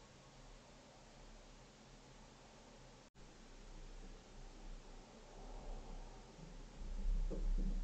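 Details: A quiet indoor hiss with a brief dropout, followed by soft rustling and low thumps toward the end, and no animal calls.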